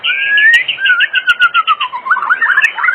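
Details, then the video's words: Short burst of oriental magpie-robin song, an afternoon lure for other magpie-robins: a long whistled glide under a fast pulsing series of notes, ending in quick twisting warbles. "Pancingan Sore Murai Batu Gacor di Jamin 100% RESPON buat pancingan murai batu pastol agar bunyi"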